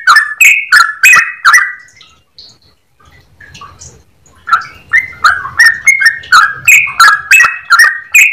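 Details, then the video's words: Yellow-vented bulbul in long ropel song with a clear voice: fast whistled notes, a quiet gap of about two seconds with faint soft notes, then the rapid slurred phrases resume at roughly three per second. "Trucukan gacor ropel panjang suara jernih"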